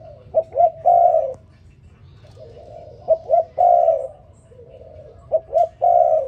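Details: Spotted dove calling in the morning: low, soft cooing phrases of two short notes and a longer, drawn-out coo, repeated three times at steady intervals of about two and a half seconds, with a faint hum behind.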